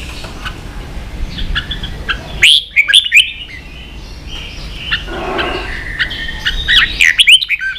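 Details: Red-whiskered bulbul in excited ché song for training young birds: soft chirping, then loud sharply slurred whistles, a quieter warbling stretch and another loud burst.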